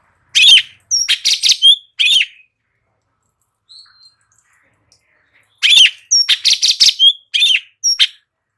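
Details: Light-vented bulbul song used as training audio to make other birds answer: two bursts of sharp, rapid chattering notes, one early and one late, with near silence between them.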